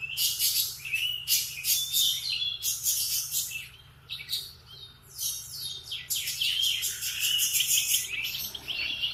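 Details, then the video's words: A canary sings in the morning, bright high trilled phrases of a second or two, repeated with short gaps, over a faint low hum. "Kicauan kenari di pagi hari"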